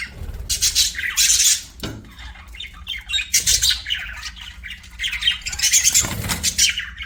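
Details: Budgerigars chirping in bursts: loud clusters of harsh, warbling squawks separated by brief quieter gaps, with a few soft clicks between outbursts.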